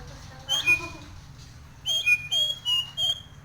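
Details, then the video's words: Nias hill myna in breeding condition, singing: loud whistled notes in short bursts, some clear and sliding, others rough with many overtones, delivered in a rapid cluster of about five calls near the end. "Suara burung Jalak Nias Gacor"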